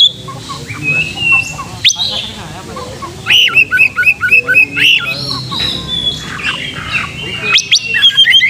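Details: Oriental magpie-robin song used to provoke a fighting mood and tail spreading; starts softly with a thin whistle, then a rapid run of repeated bright chirps about four a second, ending in sharp upswept notes.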